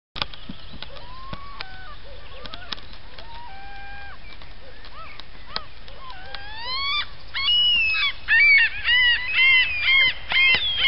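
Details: A broad-billed sandpiper (Limicola falcinellus) at Kotasaari, Lappeenranta, in May 2010 gives loud, high, nasal buzzy calls about twice a second, after softer whistles from other birds in the background.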